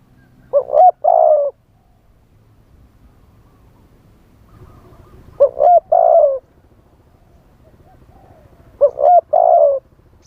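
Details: Live decoy spotted dove singing in wild-style phrasing to lure wild doves: three low, mellow two-part coo phrases, a short note then a longer burring one, spaced about four seconds apart over a faint low rumble.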